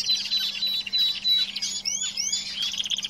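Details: Brief burst of caged canary song, a steady high trill broken by sharp upward-sweeping whistled notes, with a faint low hum.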